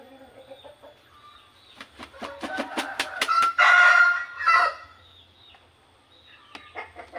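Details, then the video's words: Burmese rooster in rural Indonesia crowing in the morning: one loud, drawn-out crow that rises then holds a harsh tone, led in by a run of short clucks; softer clucking follows. "my rooster crowing in the morning"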